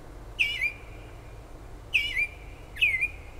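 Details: Unknown bird calling through late night and early morning hours by a kitchen window in south-central New Jersey, near Toms River; three bright whistled notes, each slurring down then holding a level tone, with steady low hum underneath.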